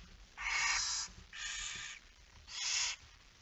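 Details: Late-evening feeding at a barn owl nest, 10 September 2019, 22:45; three fairly quiet rasping hisses about half a second long, evenly spaced, with a soft background rumble.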